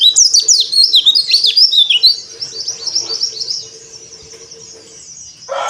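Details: Dakbal-type Oriental white-eye singing on a terrace, beak open: about two seconds of loud, high, tumbling chirps and slurred whistles, then the twitter fades to faint distant notes over a steady low hum.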